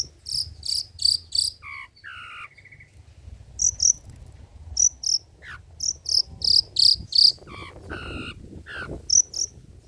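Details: Long-tailed shrike with old-style song material meant for luring and tutoring: bursts of very high, sharp repeated chips broken by harsh, rasping buzzy phrases and lower slurred notes, in a busy, varied sequence.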